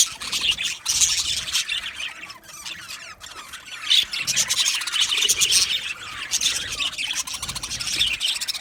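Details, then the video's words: Budgie colony in an aviary, Australian parrots, filling the air with a constant busy chorus of high chirps, squeaks and scratchy warbling from many birds at once. "Budgies Chirping sounds"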